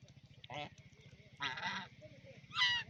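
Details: Duck playing in a pond: three separate harsh nasal honks, the last loudest, with quiet gaps between and a low rhythmic pulsing hum in the background.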